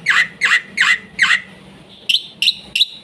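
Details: Black-winged myna singing fast, full tutor song meant to train young birds: four harsh, rasping squawked notes at steady intervals, followed by three short bright whistled chips.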